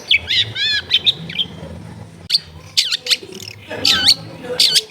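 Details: Long-tailed shrike singing, used as clear training song to get a shrike that has stopped singing to sing quickly, recorded at home in a crowded neighbourhood; varied sharp high notes, a wavering trill and quick harsh squawks in bursts, faint low hum behind.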